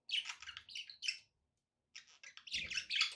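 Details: Several quick scratchy chirps from pet budgies, then a pause of nearly a second, then a louder burst of bubbling chatter.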